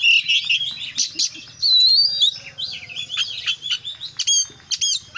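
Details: Oriental magpie-robin singing in the 'full isian' style, warbling high notes blending into a loud sustained buzzy phrase, then quick stuttering chips and sharp repeated ticks, over a faint low hum.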